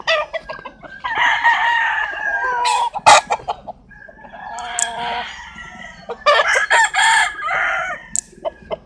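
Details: Rooster crowing mixed with frequent clucks and sharp bursts, several crows overlapping in a busy flock with uneven loudness.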